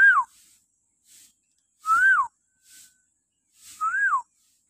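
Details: Three loud arched whistles, each rising then dropping, spaced about two seconds apart, from a common hill myna in a morning recording used to train captive mynas.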